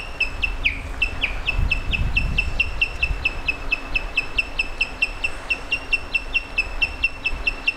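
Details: Osprey giving a long run of brief whistled chirps, about two per second, evenly repeated and slightly rising then dropping, with low rumbling background noise.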